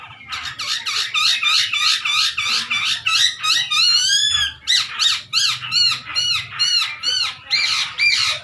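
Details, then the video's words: Chinese hwamei song meant to stir other birds to sing; fast, squeaky high notes repeated about three times a second in a steady pulsing series, with one drawn-out warbling phrase midway. "OCEHAN Poksay Hongkong Gacor Efektif Bikin Burung Kesayangan Bos q Ikut Emosi"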